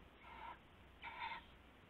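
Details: Owl at night on February 19, 2016, during a rabbit prey exchange; two drawn-out hoarse harmonic calls, the second louder, about half a second apart, over low hum.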